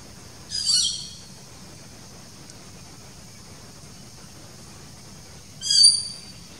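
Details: A Legge's hawk-eagle chick, a powerfully built bird, gives two thin, high, squealing calls about five seconds apart; otherwise only a faint low background hum.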